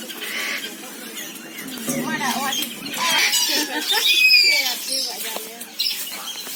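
Common hill myna giving a varied run of loud whistles, rising and falling slurs and harsh, almost voice-like notes, several per second.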